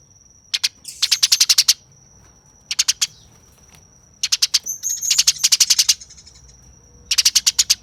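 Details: A fighting Eurasian tree sparrow gives repeated clusters of fast, harsh chirps, each about a second long, over a constant high-pitched whistle.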